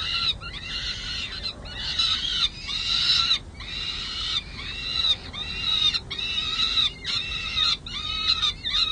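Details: Peregrine falcon chicks in their nest at San Jose City Hall, 23 May 2022, getting feisty and demanding lunch: a series of loud, hoarse, down-slurred screeches, each about half a second long, repeated almost without stopping.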